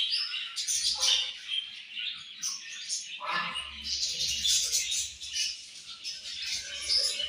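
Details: A colony of budgerigars chirping during morning feeding, overlapping bright twittering and scratchy warbles throughout, with short lower notes mixed in.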